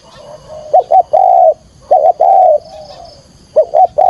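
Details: Spotted dove call used as a trapping lure: phrases of two short coos and a drawn-out mellow note, repeated three times with a soft trailing coo between.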